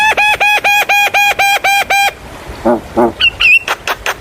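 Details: Javan myna song used as a lure to make young birds sing: a run of eight evenly spaced harmonic nasal notes about four per second, then low grating notes and sharp whistled chips.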